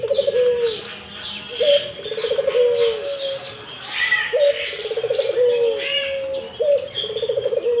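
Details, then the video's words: Series of low rolling coos by a Barbary dove, phrases coming about every two seconds, each with a short upswing, a vibrating middle section and a long fading note, accompanied by lively chirping of other birds. "burung puter gacor"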